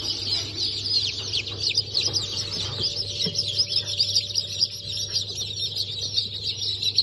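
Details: Just-hatched chicks of Brahma, Sultan, Sussex and Wyandotte breeds from a 28 January 2024 hatch peep shrilly and continuously, individual down-slurred notes standing out from the crowded chorus, over a low hum.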